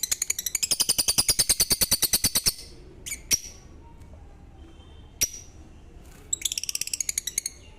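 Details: Lovebird calls: a fast run of sharp, high chirps repeated about every tenth of a second for over two seconds, a few isolated clicks and chirps after a pause, then another quick burst of chirps at the end.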